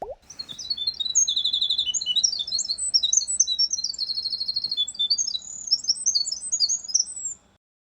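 A House Wren sings a loud, bubbling, run-on song of fast chattering trills that tumble up and down in pitch for about seven seconds.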